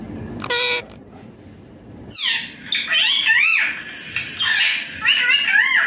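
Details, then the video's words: Green Indian ringneck parakeet talking: a short harsh burst, a pause, then a long stretch of loud, wavering, raspy word-like phrases rising and falling in pitch, in a small indoor room. "Indian ringneck green parrot amazing talking clear sounds"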